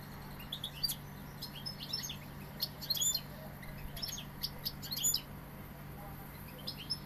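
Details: European goldfinch, called a Sevillian goldfinch, giving a scattered run of high, thin twittering notes and quick chirps in loose bursts, over a steady low hum.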